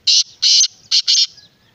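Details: Black francolin, or kala teetar, calling at close range: four loud, rasping, broadband notes in quick succession, the first two longer and the last two tightly paired, in under one and a half seconds.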